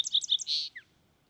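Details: Fox sparrow delivering a brief, bright phrase: rapid high warbled notes, a rich sustained middle whistle, then a small falling slur before silence.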